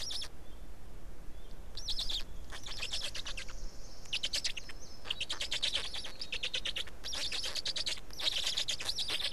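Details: Feeding time at an Estonian black stork nest, afternoon of 19 May 2019; scratchy, fast-pulsed rattles start and stop in bursts and crowd together toward the end. A faint high whistle sounds early on.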